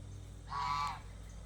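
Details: Single drawn-out nasal honk, about half a second long and steady in pitch, from a domestic goose in its pen during feeding and a water change, with low background hum.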